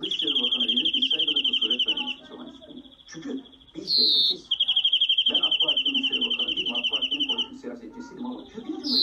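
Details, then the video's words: European greenfinch singing long, rapid trills broken by a short rising wheeze, with low human voices talking underneath. "Greenfinch Song"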